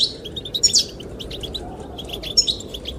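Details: Short passage of goldfinch chirping, sung to attract the female: a few sharp, high tinkling notes and a quick twitter, with steady wind rumbling underneath.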